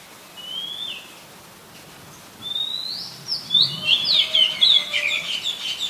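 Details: Oriental magpie-robin, a very common resident bird, in Ubon Ratchathani, Thailand, 18 April 2022, recorded on a Nikon P1000: a couple of drawn-out rising whistles, then a quick run of short chirping notes.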